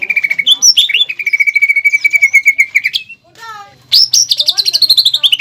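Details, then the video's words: Master song of a greater green leafbird with pelatuk bawang fill for contest training: a steady pulsed whistle held for two seconds, a brief falling rattle, then a high buzzy trill slowly dropping. "PANCINGAN DAN MASTERAN CUCAK IJO GACOR ISIAN MEWAH PELATUK BAWANG"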